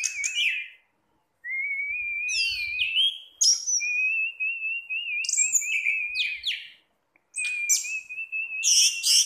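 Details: Caged orange-headed thrush, a kept bird, singing relaxed: long wavering whistled phrases held level, mixed with bursts of high sharp notes and brief rapid trills, separated by short pauses.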